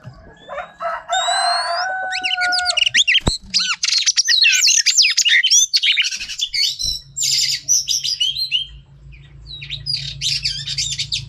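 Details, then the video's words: Female Oriental magpie-robin singing to stimulate males: a rich, fast jumble of varied whistles, sweeps and trills, opening with a few clear rising notes, then a dense run of warbling phrases, with a low hum underneath. "Choè than mái kích trống hay nhất"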